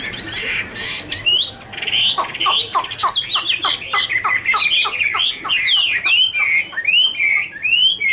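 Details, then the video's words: Chinese hwamei pair singing in duet while dancing and flicking wings: loud, varied warbled song of quick rising and falling whistled notes, a rapid series of short repeated slurs mid-clip, then clear upslurred whistles. "Birds Garrulax canorus singing: dancing, duet fin wings, wonderful warble songs"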